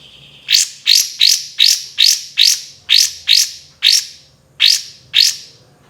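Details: Olive-winged bulbul (kapas tembak) in full song for bird training, with loud notes known as tembakan: a run of eleven sharp upward-sweeping shot notes, about two a second, slightly irregular, over a faint low hum.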